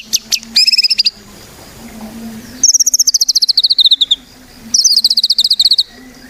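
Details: White-rumped shama singing, a gacor bird used as a lure to get others singing: bursts of rapid high trills near 4–6k, the first short, then two longer rattling runs of about twenty notes each, separated by pauses, with a faint low hum beneath.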